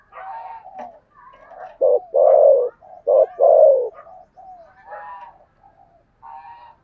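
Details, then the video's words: Lure spotted dove with a 'thổ' voice. Soft burry cooing builds to two loud, low, drawn-out coos, each preceded by a short note, then gentle murmured notes trail off. "Chim Cu Mồi giọng THỔ"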